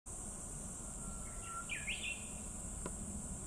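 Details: Brown-eared Bulbul in Shizuoka Prefectural Forest Park, Japan, 21 July 2019, giving one brief, slurred, squeaky call phrase, rising then dipping, over a steady high insect hiss and low background rumble.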